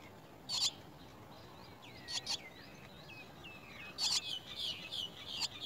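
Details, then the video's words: Chestnut-tailed starling chicks fed worms: a few isolated rasping chirps, interspersed with thin slurred whistles, then a denser buzzy burst near four seconds. "Chestnut tailed starling bird brings baby worms to eat"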